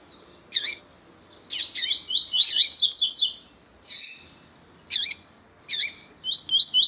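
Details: Captive Double-collared seedeater (Sporophila caerulescens) giving bright, high, sweeping whistled notes in short bursts every second or so, with a female calling in between, played to warm up other birds' song.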